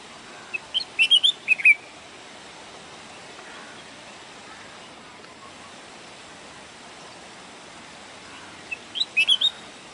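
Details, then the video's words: A bulbul gives two brief bursts of quick, bright, chirpy notes, one near the start and one near the end, with quiet background hiss between. "o canto do pássaro mais bonito bulbul bird singing"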